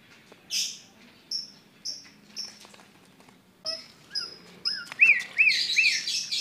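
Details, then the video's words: Tame yellow-eyed white-vented myna, a bird able to talk, giving short bright chirps repeated about every half second, then a run of quick rising whistled notes near the end; faint voices in the background. "jalak kebo mata kuning asli-bisa jinak bisa ngomong"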